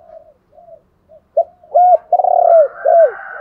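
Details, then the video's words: Decoy spotted dove calling to provoke wild doves into cooing: faint low coos lead into a loud phrase of arched coos, a long vibrating descending note and a closing hooked coo, with a faint higher tone behind. "chim cu mồi kích bổi, tiếng thúc gáy gọi kích thích bổi rất xiêng gáy theo"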